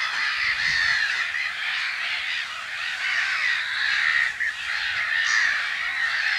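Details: Breeding colony of black-headed gulls at their nests in mid-March, Brenne, France, heard from an observation hide; continuous raucous clamour of countless overlapping squawks, steady in loudness throughout.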